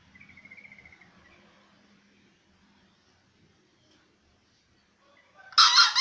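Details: A seven-month-old green junglefowl (Gallus varius) gives a single harsh, hoarse crow at the very end, after a faint thin whistle and a long quiet stretch.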